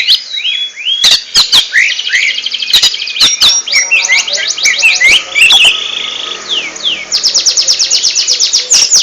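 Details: Ngentrok-style oriental magpie-robin song made of rapid rattling trills and fast repeated notes, broken by short whistled slurs and sharp clicks, ending in a long, even trill.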